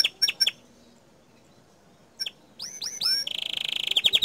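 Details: Canary giving a loud gacor song: a few sharp high chirps, a long quiet pause, then rising whistled sweeps and a fast buzzy trill at the end.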